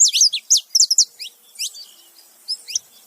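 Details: Saffron finch pair, male and female, calling together: a burst of loud, sharp, high chirps, then softer scattered notes and one final chirp after a short pause.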